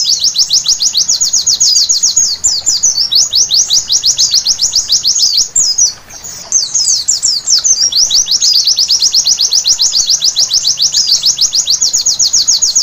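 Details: White-eye at night, song offered as therapy to make birds sing vigorously: a long, dense, high trill of rapid falling chips, roughly three or four per second, briefly pausing near the middle before the buzzy stream continues.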